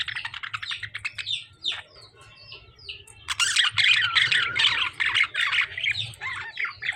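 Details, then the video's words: Lovebirds fighting with budgerigars in a cage, harsh squawks and rapid chirps overlapping in dense bursts, loudest in the second half. "Lovebirds fighting with budgies"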